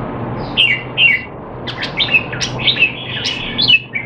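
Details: Red-whiskered bulbul kept caged in Singapore, in training and not in form, 25 December 2020; two clear slurred whistles followed by a quick, bubbly series of chirped and warbled notes, a low hum behind.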